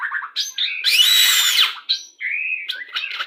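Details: White-rumped shama, Pastol type, singing a song meant to bring pairing birds into breeding condition. Short whistled notes alternate with a loud, harsh scratchy burst, then a steady whistle and varied chattering phrases.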